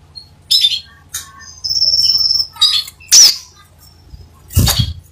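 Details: Vigorously singing crimson sunbird: high twittering chips, then a sustained thin whistled note held for nearly a second, followed by sharp scratchy bursts and a low thump.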